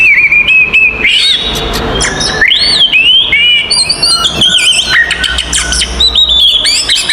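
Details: Oriental magpie-robin delivering a 'konslet' fighting song that provokes other magpie-robins: it opens with a steady flat whistle, then moves into looping, arching notes and busy high chatter.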